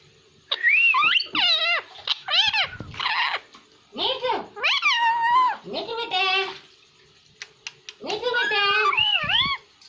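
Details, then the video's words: ['Pet parrot talking, said to speak Hindi: bursts of harmonic, speech-like syllables with swooping pitch, several phrases separated by short pauses, faint background hum.'] "Parrot Talking| Einstein My Cutest Hindi Speaking And Talking Parrot"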